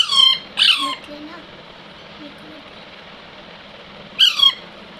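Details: Baby Alexandrine parakeet making a pair of harsh squawks, faint low murmuring in between, then one more rasping squawk after a few seconds.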